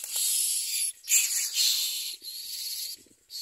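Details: Hungry common myna chicks begging in the nest: loud, harsh, hissing rasps running almost continuously, broken by brief pauses.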